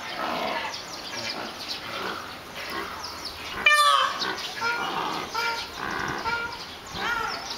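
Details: Peafowl fighting in Kumamoto on 4 June, possibly in mating season, give one loud, harsh, ringing squawk midway, with softer nasal calls and scuffling around it over steady background noise.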